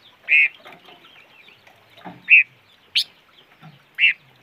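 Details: A bird locally called the five-coloured bird gives short, clear calls around a mid-high pitch, spaced irregularly, with one sharper, higher note near the middle and faint rustling between calls.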